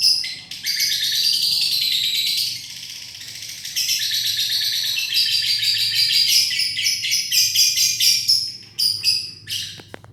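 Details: Lovebird giving a long trilling 'ngekek' song, used as a lure to get other birds singing: a continuous high, dense, buzzy chatter lasting many seconds, breaking into rapid pulsed notes near the end, with faint low hum behind.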